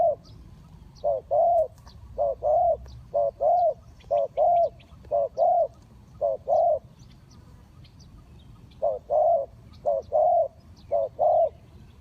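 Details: Decoy spotted dove calling to draw wild doves into a trap: steady series of mellow, slightly arched coos grouped in quick phrases, then a long silent gap before the phrases resume; soft distant bird chirps.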